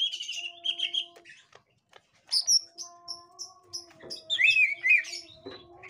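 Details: Green leafbird of the gotri type reacting to a young wild green leafbird: bright chirps and whistled notes around 3–5k-ish range in bursts, with steady low tonal hums running underneath.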